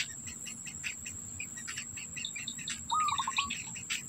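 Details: At a black bittern nest, an adult keeps food in its mouth for the young. Near the end comes a single rising note that breaks into rapid stuttered pulses, set among dense small-bird chirps and a constant shrill insect tone.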